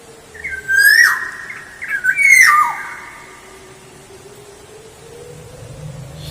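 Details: Black-naped oriole song used as a lure: two rich whistled phrases with buzzy harsh edges, dropping in pitch, then quiet with low background hum.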